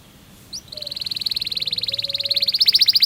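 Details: Canary 'ngerol' roll for teaching young canaries: after one sharp rising note, a steady very fast high trill builds in loudness and pitch, with light background noise.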